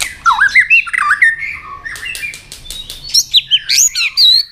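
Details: Fight-singing white-rumped shama, excited to sing competitively: a fast cascade of rich, looping whistles and warbles, followed by sharp clicks and bright rising notes.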